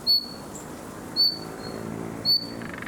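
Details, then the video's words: Summer recording of a young common nightingale trying out its song: three brief, pure, high whistled notes about one second apart, each dropping slightly in pitch, with quiet background. "Пение летнего соловья. Малыш старается"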